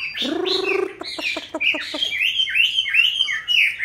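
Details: Caged Chinese hwamei, kept for five years after being caught wild: a harsh, nasal buzzing note opens with a few dry clicks, then clear looping whistled phrases follow.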